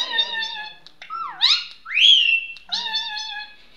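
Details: Indian ringneck parrot, a pet talking bird, mixing steady reedy tones with a dipping whistle and a loud upswept whistle that levels off, then more nasal chatter.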